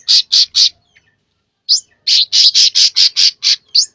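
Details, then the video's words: Persistent gacor song of a sooty-headed bulbul: three loud harsh chips, a silent gap, then a rising note and a fast, even string of scratchy, high notes ending in an upswept chirp. "burung cucak ranting gacor"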